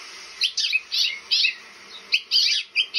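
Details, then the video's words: A house finch gives bright, high chirps in quick jumbled bursts, about six in three seconds, over a faint steady hiss. "House finch call"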